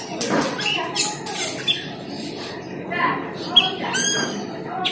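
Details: Asian glossy starling (cucak keling, perling) calling in a lure recording used to draw in the same bird: raspy squawks and short squeaky notes, some with stacked tones, in uneven bursts over background noise.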